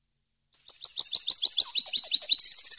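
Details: Training song of a European goldfinch for captive birds: a burst of quick tinkling chirps building in volume into a fast rolling trill.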